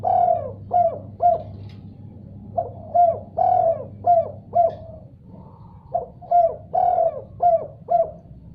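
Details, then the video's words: Spotted dove cooing eagerly in response to a sound: repeated phrases of hoarse, mellow coos, some drawn out and some clipped, running almost without break across the recording over a low hum. "Tekukur Diam Seketika Langsung Respon Nyaut Gacor Setelah Dengar Suara Ini"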